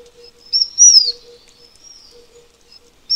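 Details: A Taiwan fulvetta (Alcippe formosana), a species endemic to Taiwan's mountains, gives a thin, high, slightly descending whistled note with a weaker trailing whistle over a faint low hum.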